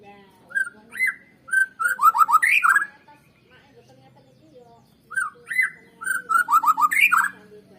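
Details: White-rumped shama song used to stimulate other birds to sing: two bursts of loud whistled phrases, each opening with short flat notes and ending in a rapid run of descending slurred notes, with a pause between them.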